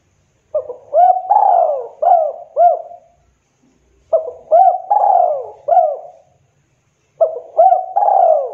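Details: Spotted dove in kuk 2 style, calling to draw answers from other doves: the same low cooing phrase of clipped notes and one long falling coo, repeated three times with pauses of about a second between.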